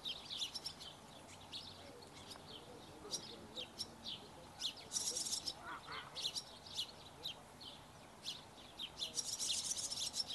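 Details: Feeding of barn swallow chicks, the young calling as food arrives: thin high chirps and twitters, bursts of dense hissy begging noise around five and nine seconds, a short lower nasal note in between.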